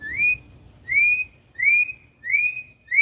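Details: Campo troupial in wild-style song, repeating a clear upslurred whistle about every two-thirds of a second, five times, each note rising and then levelling off.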